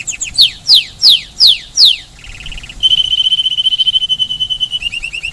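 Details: Caged Spanish timbrado canary singing at Paradisi on Rhodes island, Greece: five loud descending whistled sweeps, then a short buzzy trill, then a long, rapid, metallic rolling trill with evenly pulsed notes.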